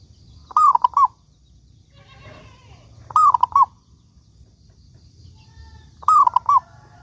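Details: Zebra dove singing as a lure to make other doves sing: short bursts of rolling, cooing notes repeated about every two and a half seconds, quiet between phrases.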